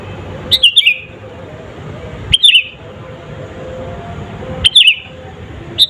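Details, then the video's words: Sooty-headed bulbul calling actively, an unmixed recording used to stir up rival birds: three tumbling phrases of bright descending notes around two seconds apart, ending with a single short note, over faint low noise. "SUARA BURUNG KUTILANG GACOR ASLI TAMPA ISIAN..,!!!pancinga kutilang bikin lawan emosi..."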